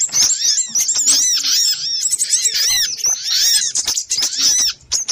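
Little spiderhunter calls: a dense, excited stream of sharp, high chattering notes that overlap almost without pause, as if several birds call at once.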